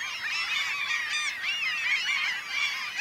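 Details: Black-legged kittiwakes in a dense breeding colony on Ona, a small island group in Møre og Romsdal, Norway, in mid-May: many nasal, wailing, mid-to-high calls rising and falling and overlapping without pause.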